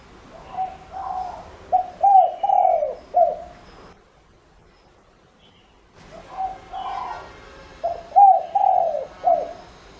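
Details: Spotted dove kept as a decoy, giving its calling coo to draw in other doves: two low, husky multi-note cooing phrases separated by a silent gap of about two seconds.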